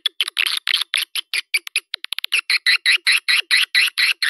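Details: Swiftlet calling sound used as a lure for a nesting building: a steady series of short buzzy chirps, a little over two per second, with a brief quicker ticking run midway.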